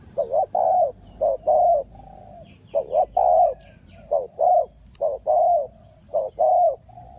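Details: Repeated mellow coos of a spotted dove in Ninh Thuận during bird trapping, each short clipped note running into a drawn-out croo, pairs coming in quick succession with faint higher chirps behind.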